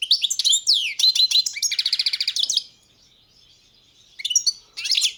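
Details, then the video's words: Entry from the 2022 World Championship in goldfinch song, Balkan subspecies Carduelis carduelis balcanica: fast tinkling twitter leading into a rapid buzzy trill, then a pause and two brief chirpy phrases. "Pesma štiglića 005/22 World Championship in Goldfinch Song"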